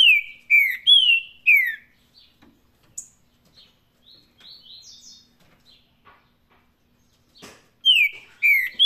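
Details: Saffron-billed saltator performing canto Paraná, opening with three strong downslurred whistles, then a stretch of faint soft chirps and a sharp click, before two more loud falling whistled phrases close the sequence.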